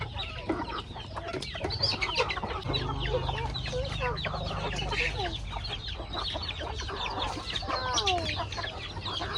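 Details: Hungry chickens eat corn on a farmyard, with dense overlapping clucks and chattering calls, some bending downward, over a low steady hum.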